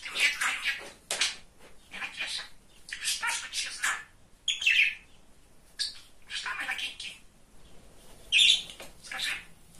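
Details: Chatty male pet budgerigar talking, a string of raspy speech-like phrases and warbles in bursts of one to two seconds, with sharp high chirps now and then and short silences between runs.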